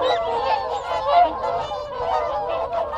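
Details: Group of whooper swans making contact calls at close range. A short burst of crowded, horn-like honks with a louder call around the middle. Background wigeon and Canada geese.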